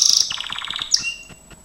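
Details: Gloster canary singing in a training recording, a quick high trill dropping into a lower series of evenly spaced rapid pulses, then a single sharp high note and fading echoes.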